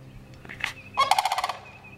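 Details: Sandhill crane giving a single loud, rolling, rattled call of about half a second, made of rapid pulses, with a fainter short note just before it.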